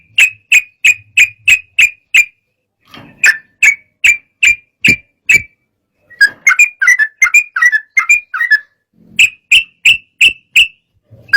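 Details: Sooty-headed bulbul singing agitatedly to provoke rival birds: a series of sharp clipped notes about two and a half per second, a tumbling varied phrase midway, then more evenly spaced notes.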